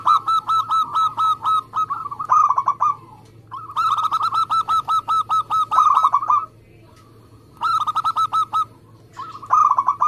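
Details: Zebra dove of local stock in full song, played to encourage other doves to call: repeated fast bubbling coo trills in phrases of several seconds with short gaps, steady low background hum.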